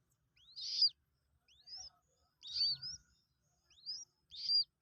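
A two-day-old Common Moorhen chick gives high, thin peeps, each a quick rising-then-falling whistle, about one per second, with faint low rustling.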